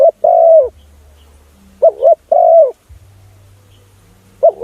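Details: A spotted dove coos as a lure for other doves: two complete phrases plus the opening of another, each a short double note then a sustained sliding coo, separated by long pauses with low humming.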